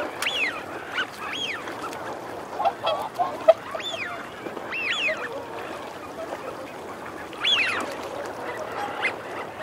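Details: Male wigeon whistles from a flock with females also growling: a run of arched, up-and-down whistled calls repeated every second or two, overlapping, above a dense low chatter of other birds.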